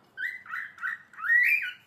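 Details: A pet cockatiel, coaxed by its owner to talk and sing, gives four quick, reedy syllables that sound like mimicked words.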